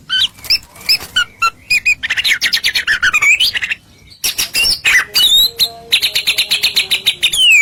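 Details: White-rumped shama masteran song to provoke other birds: dense chattering phrases of rapid buzzy notes, sliding whistles and a sustained high trill, with a brief quiet gap midway.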